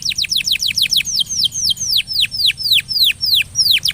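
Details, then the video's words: Energetic canary used as a lure song to coax a silent canary into singing more: rapid series of high, downward-sweeping notes, speeding up then slowing into longer, broader swooping syllables repeated several times a second. "Kenari gacor...!!! paling jitu memancing kenari macet jadi lebih rajin bunyi ( pancingan kenari)"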